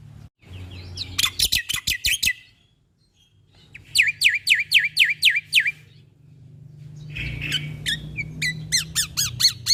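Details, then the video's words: Black-winged starling in a training recording for caged birds. It gives rapid series of sharp, downward-sweeping squeaky notes, about six to eight per burst, in three bursts. A low steady hum runs underneath. "Jalak Putih Gacor Full Isian Mantap"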